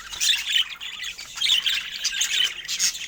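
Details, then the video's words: Budgerigars chirp happily in a continuous, bright warble of quick squeaky and buzzy notes, with no pauses. "Phoenix Golden Hour Budgies 🔥 Stunning Feather Colors & Happy Chirping Sounds"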